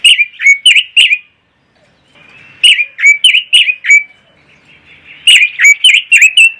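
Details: Pekin robin ngoceh singing: three bursts of rapidly repeated, bright two-part whistled notes that dip and rise, with short near-silent gaps between the bursts.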